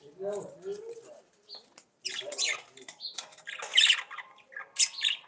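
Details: Several caged budgerigars singing: a chattering warble of short squeaky notes and scratchy bursts, with low wavering tones early on and brighter chirps toward the end.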